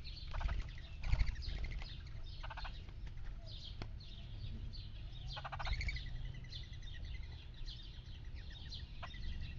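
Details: Red-headed woodpecker at a backyard feeder it has visited daily for three months, calling in harsh, buzzy bursts near the start, middle and end of the clip, each a short run of rasping notes over a steady low rumble.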